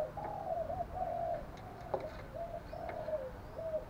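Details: Distant-sounding decoy spotted dove cooing to draw answers from wild doves: a string of low, flat, drawn-out coos at about even spacing over a noisy background with a few faint clicks.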